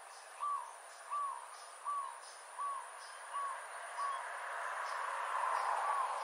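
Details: Dusky munia in Sabah, Malaysian Borneo, September 2022. Short, soft, downslurred notes repeat about every three-quarters of a second. Rising background hiss follows, ending with a brief warbled note.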